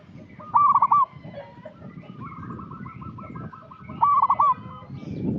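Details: Local zebra dove used as a lure bird, giving two loud stuttering coo bursts separated by a long, quieter run of rolling coos, with low background noise rising toward the end.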